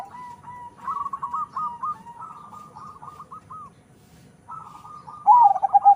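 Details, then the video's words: A zebra dove, crossbred from local and Bangkok birds and bred for a big voice, delivers long strings of rapid stuttering mid-pitched notes, falls quiet, then resumes and finishes with a loud, low, bubbling coo. "PERKUTUT CROSING PERPADUAN LOKAL BANGKOK SUARA SUPER BESAR"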